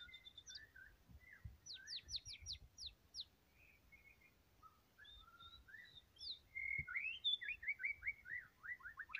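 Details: Energetic white-rumped shama singing: sharp high downslurred flicks, scattered soft whistles, then a loud burst of rapid falling notes, each rushed after the last in a rolling trill-like series.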